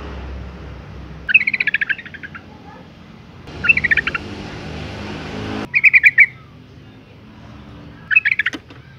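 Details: Female Yellow-vented Bulbul in breeding condition calling for males; short rattling bursts of quick harsh notes every couple of seconds over steady background hiss.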